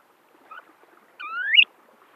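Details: Snowy plover recorded March 12, 2012 along the Salton Sea shore at Salton City, California: a faint short note, then a clear upslurred whistle rising sharply and ending in a quick squeaky flick, in a quiet setting.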